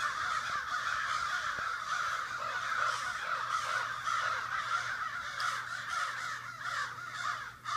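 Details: Neighborhood crows hold a noisy morning meeting in a Sudbury backyard: a constant wall of overlapping harsh caws from many birds, unbroken for the whole stretch, over a low background hum.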